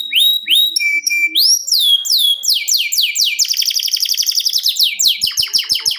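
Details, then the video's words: Singing canary in ngerol style for contests: level and upswept clear whistles, then falling slurred notes leading into a long fast rolling trill and rapid clicking notes. "NGEROL SEJALUR DURASI PANJANG..!"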